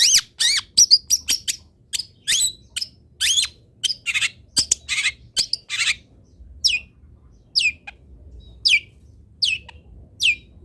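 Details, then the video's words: Long-tailed shrike training song: a dense jumble of harsh chatters and buzzy notes, thinning into evenly spaced, sharply descending squeaky calls about once a second. "MASTERAN CENDET ANTI GAGAL - CENDET MANAPUN IKUT BUNYI DENGAR INI"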